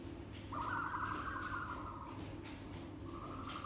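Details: Captive ostrich chicks, the first chicks of the year, in their room on a farm, recorded 23 April 2020; a buzzy trilled call holds steady for about two seconds, then a shorter one follows, over a constant low machine hum.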